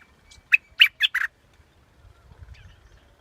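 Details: Four rapid, bright chipping notes from a scarlet-backed flowerpecker in under a second, followed by quiet with a soft low rumble.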